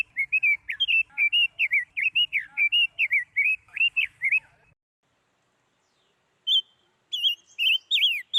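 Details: Female Chinese hwamei, sung to stir up males: a flowing series of clear, whistled, wavering phrases, steady and loud for several seconds, then a pause before a few more sliding whistles.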